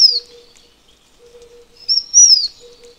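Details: The end of one descending thin whistle from a Taiwan fulvetta, a pause, then a fresh phrase: quick high note and a longer falling slur. A faint low hum runs intermittently beneath.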